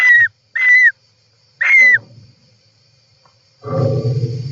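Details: European roller calls recorded inside a nest by an inside camera on July 18, 2024: three short hoarse calls with a falling whistled tone, then a pause and a low rumbling, rustling noise.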